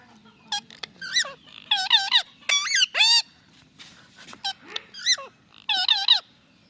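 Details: Indian ringneck parakeet, described as a talking parrot, giving a rapid series of loud, harsh, arched and warbling notes in short bursts with brief pauses, some notes sliding downward, over a faint low hum.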